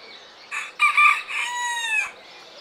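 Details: An Alexandrine parakeet (Psittacula eupatria) at Belgrade zoo, recorded June 2022, gives a loud, harsh, drawn-out screech in three quick parts, the last long and slightly falling, over quiet background.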